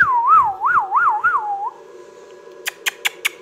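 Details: Pet ringneck parrot giving a clear warbling whistle that rises and falls about four times in quick waves over 1.5 seconds, followed by silence and then four sharp clicks.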